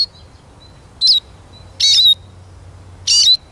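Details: Eurasian siskin uttering three thin, high, slightly buzzy calls about a second apart, each a short descending whistle.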